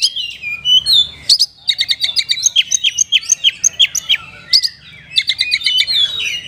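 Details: Lively caged Oriental magpie-robin with a richly filled song, meant to rouse lazy caged birds to sing: a fast run of sharp whistled notes and upslurred chirps, briefly broken by loud clicks, then resuming with repeated descending whistles.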